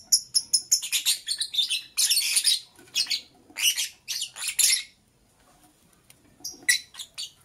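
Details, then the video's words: Dense, rapid lovebird chirping in the morning: a fast string of shrill, scratchy notes for about five seconds, a pause, then a few more harsh chirps. "Sweet Lovebird Sounds - Chirping Sounds"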